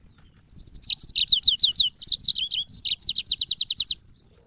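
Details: Extended yellow-fronted canary song for training cage birds. About three and a half seconds of varied high warbling flows into a fast, very even trill of around ten sharp notes.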